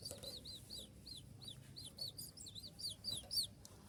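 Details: Spotted konin (kolibri ninja) giving its sharp 'shot' song, used as dawn training material for other songbirds: a rapid, uneven run of high, thin, down-slurred chips, several per second, rising in loudness near the close.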